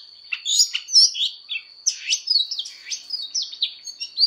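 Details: Oriental magpie-robin practising its fighting song for voice training. Spaced, clear whistled notes and sweeping slurs, some sharply rising, delivered in short bursts above a steady faint high tone.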